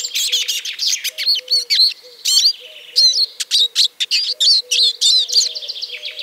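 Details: Eurasian siskin song: rapid run of high twittering and chattering notes with sharp vertical clicks, bursts broken by brief pauses, a faint low buzzy hum running steadily underneath.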